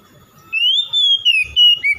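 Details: Bright whistled phrase from an oriental magpie-robin: a long rising then gently falling note, followed by short repeated whistles and a lower closing note, with faint low knocks behind.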